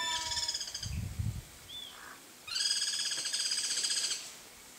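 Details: Wild guira cuckoo, free in nature, giving bright, strongly harmonic, rapidly pulsed calls. A short series comes first, followed by a faint rising note, then a longer rattling run of fast repeated notes, over soft low background rumble.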